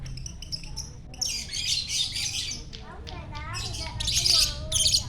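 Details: Morning song of a champion lovebird, delivered gacor-style at sunrise in Jatihandap, Bandung: a quiet start, then loud rasping, squeaky chatter phrases broken by rising and falling whistled notes.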